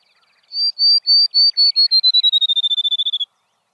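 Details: Field Sparrow (Spizella pusilla) song, a species that sings even on the hottest summer days, often from a hedgerow over abandoned shrubby pasture: slow, sweet high whistles speeding into a quick trill, sliding slightly lower, like a bouncing ball.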